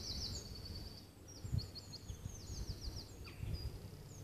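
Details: A common nightingale sings at Loxwood on 18 April 2015, rapid series of high, thin repeated notes and short trills, phrase after phrase, over wind rumble; a wren, jackdaw, sheep and a plane are also audible.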